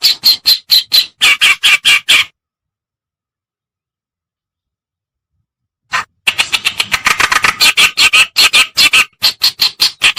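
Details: Reed warbler (kerakbasi or cikrok, white- or black-browed), used as a lure to draw birds in: rapid, rasping chatter for two seconds, nearly four seconds of silence, then a longer dense burst of harsh scolding notes.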